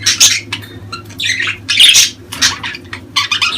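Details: Budgerigar calls for stimulating mating: loud grating squawks and bursts of noisy warbling in quick irregular succession, with a steady low hum behind.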